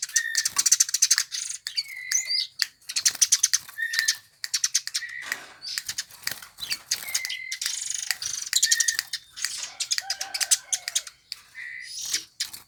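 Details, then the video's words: Eurasian tree sparrow, a bird sought after by Indonesian songbird hobbyists, giving loud, dense bursts of high, harsh chirps in rapid trains, broken by short clear whistled notes and brief pauses, with no other sounds. "Burung Gereja yang Banyak dicari Kicau Mania"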